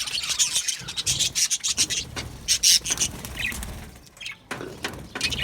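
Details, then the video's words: Australian budgerigars chattering in an aviary colony: rapid high, rasping chirps in clusters, a few squeaky notes, and a short lull before the scratchy twitter resumes. "Australian Budgies Singing and chirping sounds"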